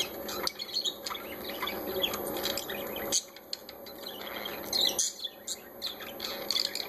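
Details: Several parakeets, described as enjoying themselves, give a busy mix of high chirps and short harsh squawks in uneven bursts over a constant background hiss.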